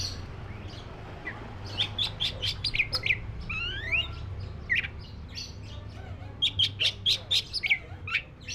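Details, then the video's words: Black-breasted white-rumped shama singing rapid series of sharp chipping notes and sweeping whistles, ending in a fast repeated tick burst, over a low droning hum. "SUARA BURUNG KACER (DADA HITAM)"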